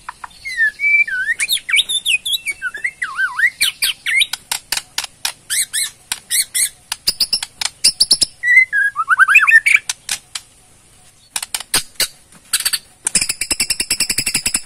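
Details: Borneo white-rumped shama giving ketrekan, a rattling call meant to provoke a response: sweeping whistled phrases early, then long runs of dry clicking rattles with a brief pause near eleven seconds, more chatter after.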